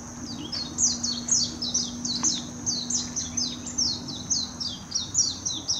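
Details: Warbling white-eye recorded in Hashimoto, Wakayama Prefecture, Japan, on 26 June 2021 with a Nikon Coolpix P900, singing a continuous, lively stream of high sliding chirps about twice a second, over a faint low hum and a thin high whine.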